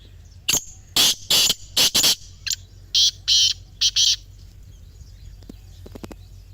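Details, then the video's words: Grey francolin calling, a recording used to coax silent captive francolins into calling: loud, harsh, piercing bursts in two runs of about four notes each, the second run softer, followed by faint distant clicks and ticks. "خاموش تیتر کو بولنے پر مجبور کرنے والی جادوئی آواز | Teetar Voice for Non-Singing Birds"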